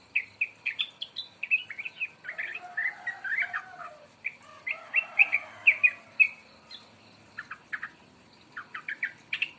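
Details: Young sooty-headed bulbul, two months old, beginning to sing: a long stream of quick, warbled whistled notes, bunched in clusters with brief pauses, rambling and unpolished like practice song.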